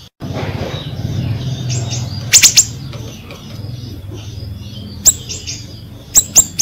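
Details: Ashy drongo singing hard, used to coax drongos that have stopped calling; high chirped notes with bursts of sharp, rapidly repeated clicks over a low hum.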